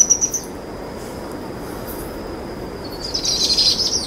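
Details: Begging trills of two powerful owl chicks at dusk while their mother feeds them: a short high trill at the start, a long faint steady whine, then a louder pulsed trill of about a second near the end.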